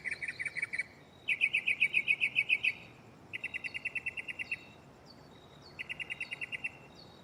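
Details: Nighttime mockingbird song from a nearby tree, shifting between phrases: fast buzzy trills of rapid repeated notes in bursts of about a second, separated by short pauses and thin high whistles.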